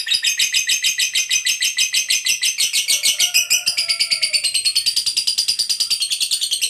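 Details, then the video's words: Fighter lovebird delivering a long ngekek trill meant to spur other lovebirds to sing: continuous rapid chattering pulses throughout, slightly quickening after halfway, with faint whistled tones underneath. "Suara Burung Lovebird Ngekek Panjang, TOP Buat Pancingan Lovebird Agar Cepat NGEKEK"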